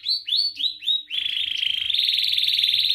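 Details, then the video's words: Song played to teach young canaries: four looping descending whistles at a steady pace, then a sustained buzzy rolling trill that grows slightly in pitch and intensity. "Kenari gacor NGERIK Cuit Cuit Ngerol nembak - Pancingan kenari paud belajar bunyi"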